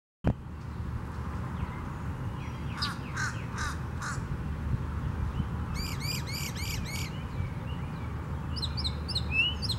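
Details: Northern mockingbird singing at Tattnall Square Park on May 11, 2015: varied phrases with a harsh stacked burst, then rapidly repeated buzzy chevrons and high sharp notes, over steady low urban rumble.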